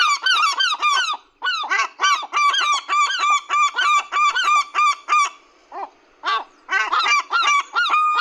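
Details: Seagulls at a feeding give loud, harsh squealing calls in quick repeated bursts, with brief gaps between runs of notes, then more cries at the end.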